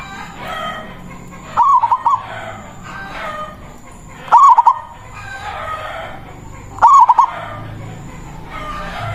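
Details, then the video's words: Local zebra dove with a big voice cooing its manggung song to draw a rival, played as a lure: three short bubbling phrases of quick coos, evenly spaced under three seconds apart, over low background chatter and a faint high tone. "Perkutut lokal Suara Besar Ampuh memanggil lawan Bunyi manggung Langsung Nyaut"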